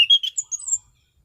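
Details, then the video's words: Orange-headed thrush, a kept bird in steady full song, described as sweet-voiced with sharp, stable bursts and dense variation. Brief burst of high chirpy notes, a bright whistle then short thin squeaky fragments, fading into silence. "Burung Anis Cendana Gacor mapan.!!!"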